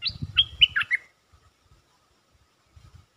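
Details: Lure song of a caged stripe-throated bulbul: a short whistled run of five or six sliding notes within one second, over a low muffled rumble, followed by quiet with faint thumps.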